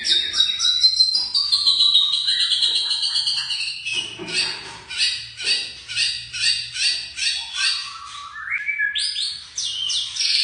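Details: Young white-rumped shama producing a long slurred whistle, then a steady series of about a dozen repeated buzzy notes, ending with a rising sweep and high chirps.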